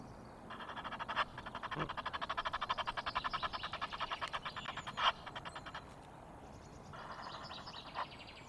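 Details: Egyptian geese calling noisily at Loch of the Lowes, Scotland, 5 March, caught on webcam: a long chattering run of rapid hoarse notes lasting about five seconds, followed by a quieter harsh burst later.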